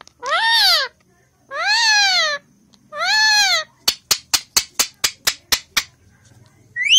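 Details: An Indian ringneck parrot, said to talk in Hindi and whistle, gives three drawn-out, arched, nasal voice-like utterances, then a quick run of about ten sharp clicks, and a final rising call begins.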